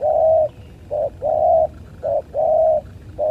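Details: Spotted doves fighting: steady low cooing in short-long pairs, a brief coo followed by a longer drawn-out one, the cycle repeating about every 1.2 seconds, with a faint low background rumble.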